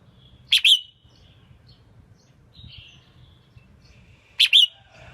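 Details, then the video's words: Female red-whiskered bulbul, chosen to excite males into fuller song; two short burst-like phrases of sharp chirped notes about four seconds apart, with a softer warble between. "Kích chào mào mộc hót! Tiếng chim chào mào yếu lửa hót không đè"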